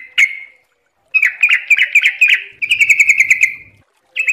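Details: Yellow-vented bulbul song: a brief whistle, then a bubbling, rhythmic series of slurred notes running into a fast, even trill.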